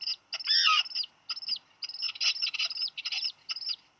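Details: Black guillemot chick, about 12 days old, at a nest with a sibling after dropping a fish, Seal Island National Wildlife Refuge, Maine, July 8, 2020, 2:58 PM, gives high, thin peeping calls in quick, uneven bursts with a louder squealing run near the start.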